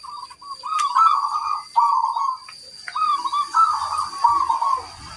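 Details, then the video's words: Zebra dove, a local perkutut, in full song with a big 'kung' voice: repeated rolling, purring coo phrases, each about a second long with brief gaps, and faint clicks in the background. "Perkutut lokal gacor, gayer suara kung besar"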